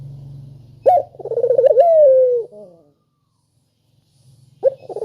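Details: Sharp, sweet spotted dove call meant to get other doves calling: after a low hum, one full coo rises sharply, breaks into a pulsing trill and ends in a long falling tone, followed by silence and the start of another coo.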